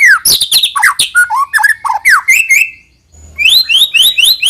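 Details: White-rumped shama singing to coax young birds into song: scratchy rattling notes and slurred whistles, a brief pause, then a quick run of repeated high rising upswept notes.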